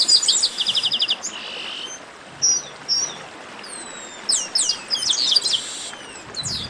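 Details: A flock of chestnut-capped blackbirds singing in 'baderna' style. It opens with a rapid pulsing trill and a buzz, followed by scattered clear whistles and downslurred chirps from several birds.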